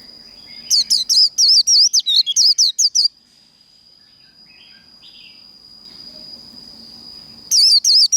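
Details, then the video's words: Líu đấu fighting song of a Japanese white-eye, meant to fire up trained birds: two bursts of rapid, wavering high whistled notes separated by a long gap, with a steady thin high whine running throughout. "Vành khuyên líu đấu | SIÊU HAY - Khuyên líu kích bổi, Kích lửa vành khuyên líu đấu"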